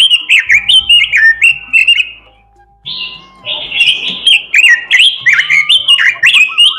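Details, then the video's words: Oriental magpie-robin in full gacor song with isian fill-ins. Strings of bright, falling whistled notes, a short lull, then dense warbled phrases and clicks, delivered rapidly and irregularly. "robin suara merdu gacor isihan"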